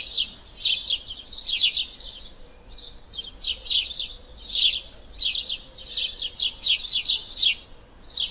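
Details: Several house sparrows (Passer domesticus) chirp steadily in bright, overlapping bursts, roughly one cluster each second, as if calling together; little else is heard.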